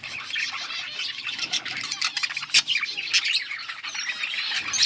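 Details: Chirping budgies, August 15, 2024: a thick, continuous wall of high warbling chatter and sharp squeaks from many birds at once, with a single loud click near the middle.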